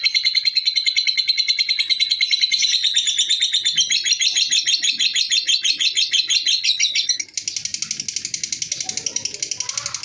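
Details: Continuous ngekek chatter by a lovebird: rapid, piercing, repeated chirps that rise slightly in pitch midway, then switch abruptly to a higher, buzzier run of pulses, with faint low background noise.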